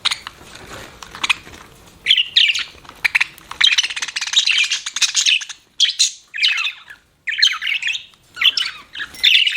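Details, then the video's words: Budgerigar chirps after a softer buzzy opening: quick clusters of sharp, scratchy twittering notes broken by brief silences. "BUDGIE CHIRPING SOUNDS"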